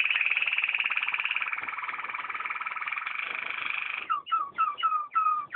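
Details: Waterslager canary singing: a long, fast, even rolling trill for about four seconds, then a series of short descending whistled notes repeated about three times a second.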